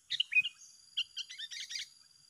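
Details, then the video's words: Sooty-headed bulbuls singing against each other, quieter and busier: a quick chirpy phrase, then overlapping clusters of short bubbly notes and chatter from more than one bird. "Adu Gacor yang tak Terselesaikan Antara dua petarung"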